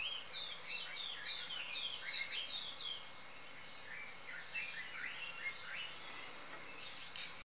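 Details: Golden-tailed woodpecker (Campethera abingoni) in a garden in Hazyview, Mpumalanga, South Africa, giving a fast series of high, squeaky, descending notes, bunched in the first three seconds and fainter later, over a steady background hiss.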